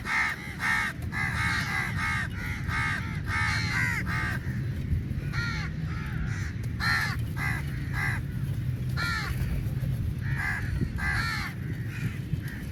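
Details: Large flock of crows fighting over meat while being fed: dense, overlapping harsh caws, many short calls in quick runs throughout, over a steady low rumbling background noise.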